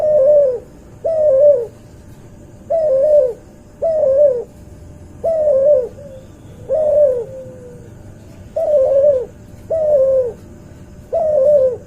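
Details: Cuhu dove, bred from a white albino puter with a puter pelung. About ten short, bent coos in an irregular series, each rising then falling, sometimes followed by a thin drawn-out note, in a quiet setting.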